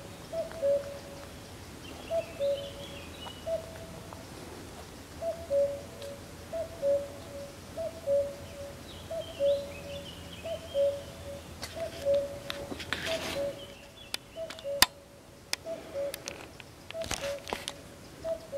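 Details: Unseen common cuckoo singing on 7 May 2020 beside the San Antolín pond at Goikomendi, Zamudio: about thirteen steady, hollow cu-coo calls, each falling a step, with faint other birds and a burst of rustling noise midway.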